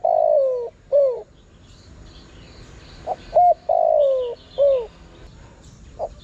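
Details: Spotted dove cooing to attract wild birds: the end of one phrase, a pause, then a full phrase of two short notes, a long sliding coo and a short dropping note; distant small birds chirp faintly.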